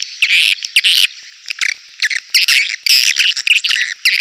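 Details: Clear swiftlet call for luring birds into a crowded swiftlet house: loud harsh buzzy chirps in uneven bursts, roughly two per second, with sharp ticking between them.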